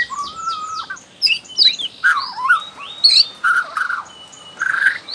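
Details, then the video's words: Young wild Bornean white-rumped shama, used to prompt other shamas into song: a long flat whistle under rapid high downslurred notes, followed by varied scratchy twists and short burry phrases. "MURAI BATU BORNEO Trotol Muda Hutan Ampuh Buat Pancingan Murai Batu"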